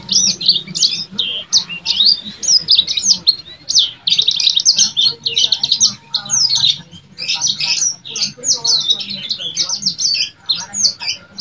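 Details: Vigorous gacor song of a yellow-fronted canary: long, dense flow of high chirps, trills and slurred whistles, nearly unbroken with short gaps. A faint low murmur sits in the background.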